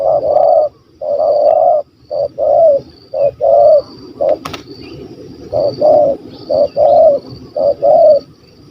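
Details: Spotted dove in Malaysia, a hunters' target described as a stammering bird with a big voice, 'kuk 1 2' style; deep, hollow coos in short phrases of two to four notes with brief pauses between, one sharp click midway, faint high hum behind.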